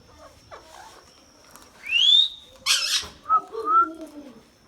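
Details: Indian ringneck parakeet, talking bird, with soft murmured sounds, then a loud rising whistle, a broad harsh squawk, and a short whistled phrase over voice-like mumbling.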